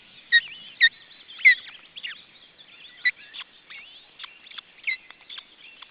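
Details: Osprey, Estonia, June 2012, at a nest where a second chick has hatched: rapid, uneven bursts of sharp, falling whistles and shorter chips, partly overlapped by a busy chorus of small songbirds.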